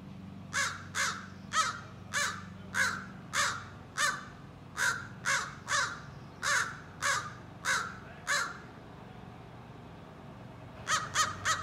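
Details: Young American crow practising scolding and territorial calls: a long run of harsh caws, each about a third of a second apart, then a pause and a quick burst of three more; low steady hum underneath.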